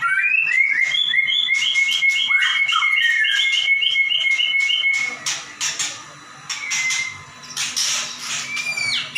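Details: Caged white-rumped shama singing to train other birds: a rapid series of repeated clipped whistled notes at an even high pitch for about five seconds, then sparser harsh chips and brief whistles.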